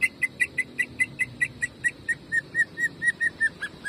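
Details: Greater green leafbird in 'jamtrok' song, fast bursting delivery meant as training song: a steady string of clear whistled notes, roughly four per second, slightly falling in pitch toward the end, with soft background hiss.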